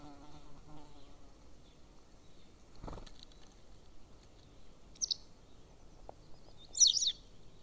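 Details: At an Estonian golden eagle nest beside a military training ground, 13 May 2024 mid-afternoon, two high, piercing yelps sound a couple of seconds apart, the second louder; a low droning hum and a brief thud precede them.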